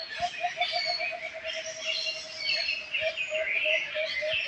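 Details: Birds chirping in a lively chorus: high bright tweets, whistled notes and trills overlapping continuously, above a low rhythmic pulsing call that repeats rapidly throughout.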